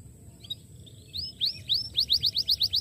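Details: Starblue canary singing, used to prompt silent canaries into song again; soft scattered notes give way after a second to loud repeated downslurred whistles, quickening into a rapid high trill.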